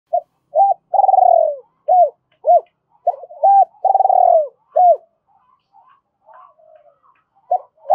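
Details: Spotted dove used as a decoy, cooing in a double-voiced style to provoke and lure wild doves: soft, low, hollow coos in short bursts, two longer drawn-out trembling coos, then faint scattered notes. No other sounds.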